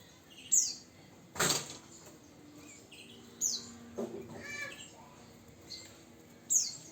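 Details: Javan bush lark, nine years old, caged songbird, giving short high sharp chirps and thin down-slurred whistles at irregular intervals, with a few soft fluttering and rustling noises between notes.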